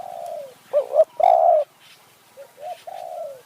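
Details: Kanchanaburi hill-forest spotted dove used to lure wild doves, Thailand: a falling coo, then a bold double note and long coo, followed by a quieter reply from a second dove.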